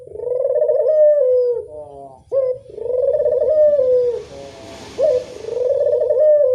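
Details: A Barbary dove lure: steady sequence of throaty rolling coos about every two and a half seconds. A brief hiss is heard midway, with a low background hum.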